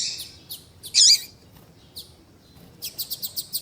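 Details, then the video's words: Double-collared seedeater, tui tui style, female call mixed with male song used to warm up a caged male for tournaments: a few scattered high chirps, one loud buzzy note, then a quick run of six clipped ticking notes. "Esquentar coleiro com Piado de fêmea de coleiro e coleiro tui tui cantando"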